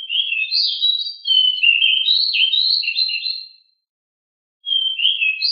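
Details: Rolling 'ngeroll' song of a pied bushchat, said to be very agile and noisy: a long unbroken run of quick, high twittering notes, then a pause of about a second before another phrase begins.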